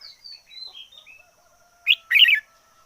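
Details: Red-whiskered bulbul decoy bird singing intensely: a few faint, thin whistled notes, then two loud, bubbly, chattering bursts near the end, the second longer and rich in quick warbled notes.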